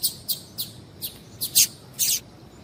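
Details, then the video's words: Female double-collared seedeater calls meant to excite a male: six or so short, high, buzzy chirps spaced about half a second apart, the later ones louder and longer. "Piado de Fêmea de Coleiro para Esquentar Coleiro"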